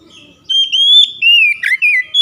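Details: Oriental magpie-robin singing, meant to spur quiet birds to sing: a sustained clear whistle that wavers and dips, then breaks into several short, slightly buzzy, falling notes.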